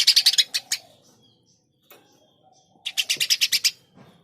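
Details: Eurasian tree sparrow chirping in two rapid volleys of loud, scratchy notes, with faint softer chirps in the quiet stretch between them.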